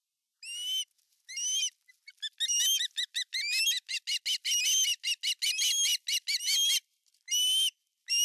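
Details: Male osprey at its nest in Finland on 18 August 2020, arriving with a giant fish; a series of sharp, rising whistled chirps, at first spaced and then run together in quick bursts.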